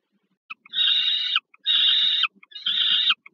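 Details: Wild peregrine falcons at Żerań, Warsaw, Poland, on 15 August 2022, as an adult brings food to a young one: three raspy, drawn-out wailing calls, each about half a second to a second long, with faint clicks between them.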